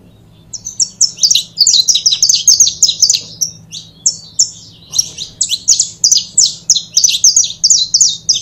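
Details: A pair of saffron finches (canário da terra) delivers long, busy runs of high, clipped chirps and rising whistles, briefly pausing near the middle before resuming just as densely; a faint low hum runs throughout.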